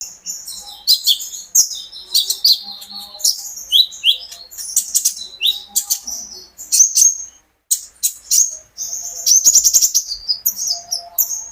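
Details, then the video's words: Kept olive-backed sunbird in full song, used to prompt other caged birds to sing: dense bursts of high, sharp, buzzy chirps and trills, tumbling quickly with brief pauses, a long rattling trill near the end. "burung konin gacor pancingan terapi burung kolibri ninja agar ikut gacor"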